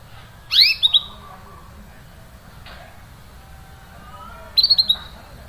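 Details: Canary giving short cuit-cuit chirps, used to prompt a silent canary to sing again: a sharp downward-sweeping high chirp with quick follow-ups near the start, then a fast burst of four clipped high chirps after a quiet gap.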